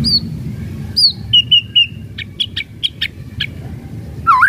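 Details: White-rumped shama kretekan song meant to provoke rivals: a few sharp descending high whistles, short level notes, then brief clicky chips and a closing upward-curving whistle, fairly soft against low background rumble.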